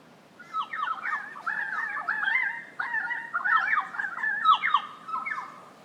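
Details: Pied Currawong at Byron Bay, Australia, possibly a male trying to impress a female, gives a loud, gurgling, wavering run of ringing notes, rising and falling in quick bursts with brief pauses between phrases.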